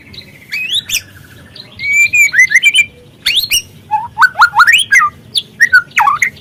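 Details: Lure song of a speckled young white-rumped shama (murai trotol), used to trigger singing: varied loud whistles, from a steady trill to fast series of upswept, looping notes.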